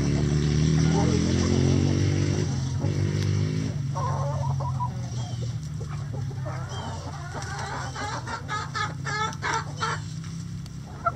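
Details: Chickens in a coop, a low drawn-out croon giving way to a flurry of quick sharp clucks and chirps from several birds, over constant low hum.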